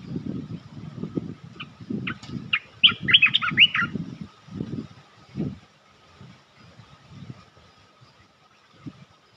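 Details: Bulbul trapping lure, the resident bird responding fast: a lively phrase of quick, bubbly, liquid notes over steady low rustling and thudding, fading to quieter knocks.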